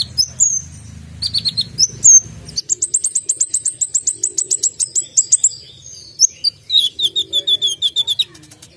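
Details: Sharp-voiced Brown-throated sunbird, locally kolibri ninja, opening with high slurred whistles, then a machine-gun run of rapid repeated high notes lasting several seconds. More chips follow, over a faint low rumble at the start.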